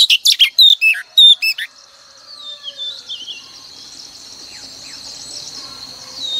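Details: Female oriental magpie-robin song used each morning to prompt males to sing: under two seconds of quick, bright whistled chirps and trills, then a faint high continuous tone and quiet background hiss.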